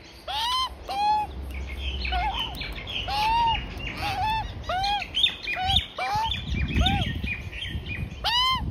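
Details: A juvenile Australian magpie calls repeatedly near its feeding parents in a suburban front yard: loud, overtone-rich rising-and-falling squawks roughly twice a second, with softer warbling notes from other magpies and some low rustling underneath.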